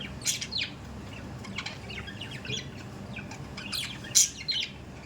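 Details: Budgerigars kept as pets give scattered squeaky chirps and raspy notes over a quiet background, with a sharp loud squawk near the end.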